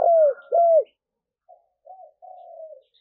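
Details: Spotted dove cooing, meant to stimulate newly caught doves to coo: two loud arched coos in quick succession, then three softer, lower notes, the last drawn out and gently falling.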